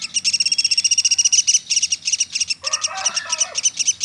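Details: High, quick chipping from a pelatuk sampit woodpecker, briefly interrupted, then joined by a lower, scratchy chatter in the second half.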